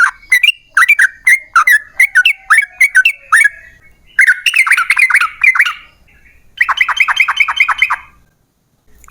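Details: Yellow-vented bulbul singing a long 'ropel' song used to provoke other bulbuls into song: spaced sharp slurred chirps, then two dense bursts of fast chattering, rising-and-falling notes.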